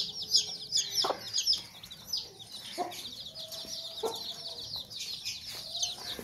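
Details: Sussex mother hen protecting her chicks gives four short, low, harsh, angry clucks about every one and a half seconds over a constant chorus of high, rapid chick peeping.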